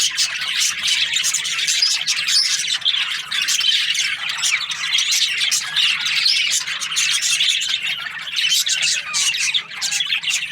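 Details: Breeding pairs of budgerigars keep up a long, unbroken babble of high chirps, whistles and harsh squawks, dense and evenly loud from start to finish.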